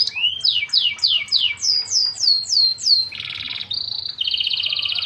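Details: Canary singing loudly: a run of rapid, repeated downward-sweeping whistled notes, about three per second, then shifting into dense buzzy trills and a steady ringing rattle at the end.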